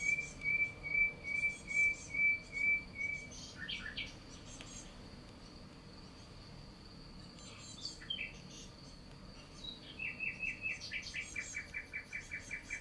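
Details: Recently fledged great tit chicks out of the nest constantly beg their parents for food with quick runs of thin, high, even notes, about two to three a second, over a faint steady high hum.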